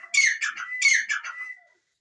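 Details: Francolin giving two harsh rasping phrases less than a second apart, each a loud scratchy burst fading into rougher pulses, ending on a thin drawn-out tone.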